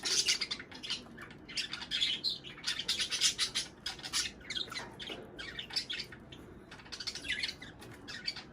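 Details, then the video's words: Chattering of budgerigars meant to prompt breeding: dense bursts of sharp, high twittering and harsh squawks tumbling over one another for the whole stretch, a few louder scratchy notes standing out. "صوت بادجي طيور الحب للتزوج"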